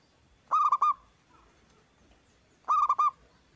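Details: Zebra Dove of local stock singing with a strong voice, meant to provoke other doves into replying: two bright triple-noted coos about two seconds apart, with faint low background hum.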